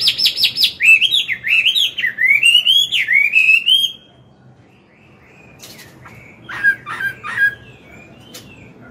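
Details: Chinese hwamei, an old wild-caught bird, in morning song used to train a young one: four seconds of fast, rich looping whistles climbing and falling, then near silence with a few faint distant notes.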